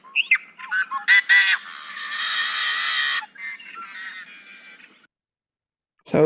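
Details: Yellow-headed Blackbird snarl song, loud and given from an exposed perch on vegetation with head thrown back: a few sharp clacking intro notes, then a long harsh, buzzy, rasping snarl fading into scratchier fragments.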